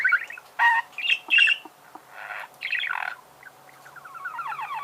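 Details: Budgerigar warbling: loud squawky chirps at the start, then a raspy burst and a softer, rippling chatter that fades toward the end.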